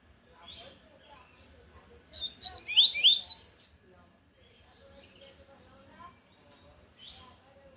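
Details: Tui Tui song of a lined seedeater, sung loudly: an intense cluster of rapid, steeply sliding high whistles lasting about one and a half seconds, bracketed by brief quieter chirped notes.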